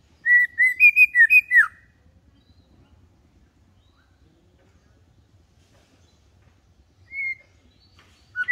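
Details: White-rumped shama tutor song, kept calm, played so young birds start singing like adults: a quick burst of six or seven bright whistled notes, then long near-silence with a lone whistle near the end.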